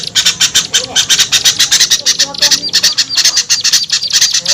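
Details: Small-bird lure sound: an unbroken stream of piercing, high squeaky chips delivered in rapid uneven volleys, a few faint lower squeals between them, used to coax small birds to come down.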